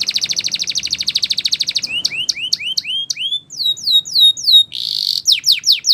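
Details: Spanish Timbrado canary song for training: a long fast pulsing trill, then alternating rising and falling slurs, a brief harsh buzz and more sweeping notes.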